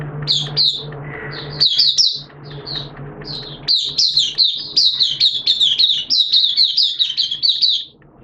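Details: Caged Oriental white-eye kept as a hobby songbird, in open 'buka' singing on 11 September 2022 during wet, erratic weather: fast streams of high, thin chirped notes in quick bursts, with a low steady hum underneath.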